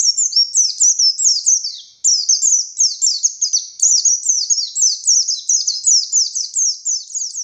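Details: Buxtoni Oriental white-eye singing nonstop ngalas song, full of tembakan shots, kept to train other white-eyes. A sustained stream of shrill, quick, downward-slurred notes, rhythmic and unbroken for over seven seconds.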